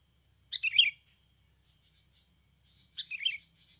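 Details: Sooty-headed bulbul in a natural lure recording: two short warbled phrases about two and a half seconds apart, the second softer, over steady insect buzzing and a faint low rumble.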